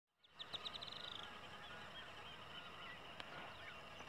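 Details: Brown-chested martin at an abandoned hornero nest it guards while raising chicks, on the road to Mensajero, Treinta y Tres, Uruguay, giving a quick burst of a dozen chattering notes over about a second, then steady background hiss.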